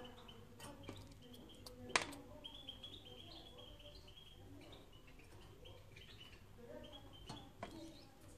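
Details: Canary singing for use in training other canaries: short whistled notes near the same pitch come in loose runs with brief gaps, over a low background hum and a few sharp clicks.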